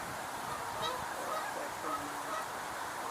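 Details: A few nasal Canada goose honks on 8 October 2022 rise above a steady hiss of background noise, with faint human speech in the background.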